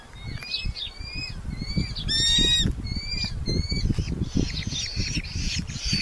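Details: Red-footed falcon at a nest box in Polgár, Hungary, with chicks hatched around 20–22 June 2025, gives shrill, slightly rising calls in quick succession, with a harsher chattering burst midway over steady low rumbling and knocking.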